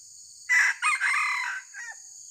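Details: Red junglefowl during a decoy-luring trapping session: a brief, clipped crow with a sharp opening note, then a longer wavering phrase that cuts off abruptly, over a steady high insect hiss.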